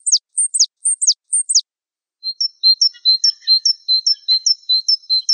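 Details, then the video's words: Java sparrow (Gelatik Wingko) masteran: spaced pairs of sharp falling chirps, a pause, then a warbling run of high whistled notes with faint lower twitters. "Suara Masteran Burung Gelatik Wingko"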